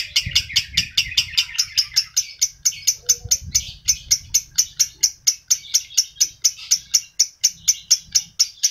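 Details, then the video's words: Lovebird calling used to excite adult birds: a long series of shrill chirps, about two per second, starting denser and busier then settling into a steadier beat, with low rumbling noise beneath. "PERANGSANG PANCINGAN LOVEBIRD DEWASA"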